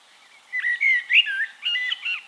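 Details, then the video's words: Single Eurasian blackbird phrase recorded in Castricum, the Netherlands: a mellow, flute-like run of slurred whistled notes rising and falling, loud and close, with a few softer warbled notes at the end. "One Hour Relaxing Birdsong: Blackbird"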